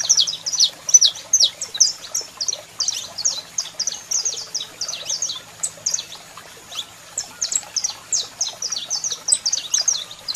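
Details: Saffron finch, male in full song with a female calling: continuous fast series of piercing high chirps with brief gaps, about two to three notes a second, and a thin steady high tone underneath.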